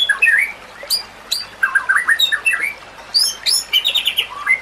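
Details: White-rumped shama song used as a tutor recording to train other shamas, mixed with nature sounds: varied whistled phrases, quick rising and falling slurs, sharp high notes and short rattling bursts, delivered in rapid, restless sequence.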